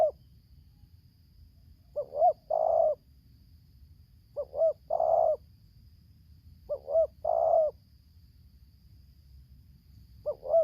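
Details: Wild spotted dove (tekukur) in Lampung, Indonesia, answering a decoy during trapping in tarik akar selang nguku style: low cooing phrases repeated about every 2.4 seconds, a short double coo then a longer croon, with quiet pauses.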